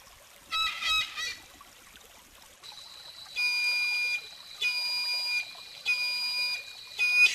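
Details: Whistling heron (Syrigma sibilatrix) giving drawn-out, reedy, level whistles with a nasal edge, repeated roughly every second after two rougher opening notes; soft hiss behind.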